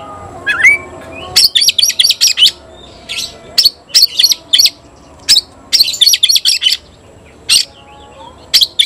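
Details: Oriental magpie-robin calling to provoke an opponent into fighting: a rising whistle, then short separated bursts of scratchy chattering notes spaced by brief quiet gaps.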